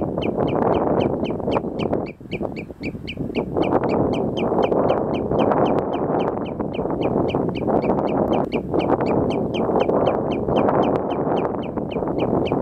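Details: At sunset, a common redshank gives sharp, high piping notes, about three each second, over a steady roar of wind or surf.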